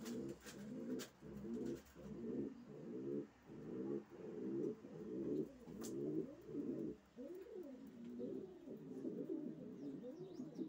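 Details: Racing pigeons cooing, a dense run of low, throaty, rolling coos pulsing about eighty times a minute with brief pauses, several birds overlapping, a few faint higher chirps above.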